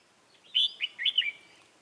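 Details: Red-whiskered bulbul decoy singing beside a trap to lure wild birds, recorded 22 October 2018: a short phrase of three or four warbled, slurred whistled notes.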